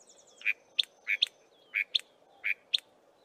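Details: Small group of Chinspot Batises foraging in tall Acacia trees, calling; repeated pairs of notes, a mid-pitched whistle then a sharper high one, about every 0.6 seconds, with soft background hiss.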